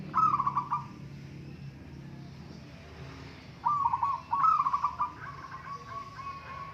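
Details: Local zebra doves in a singing contest: a short, rolling, pulsed cooing phrase opens, then after a pause two more throaty, stuttering coos follow close together, ending in a steady held tone.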